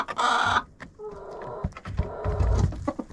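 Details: Chickens inside a coop, captured on a GoPro placed among them. A short loud squawk opens, followed by softer, lower clucking calls. Thumps and scratching come from birds moving nearby.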